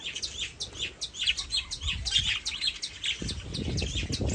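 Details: Several birds chirp busily together, giving quick high tweets and short warbled notes in an unbroken chatter, with a low rumbling background noise that grows stronger toward the end.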